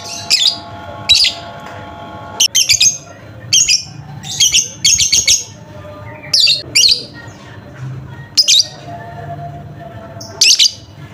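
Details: Lovebird sound meant to prompt a quiet lovebird to sing: rapid runs of harsh high chirps, some in quick clusters, continuing steadily over a low hum.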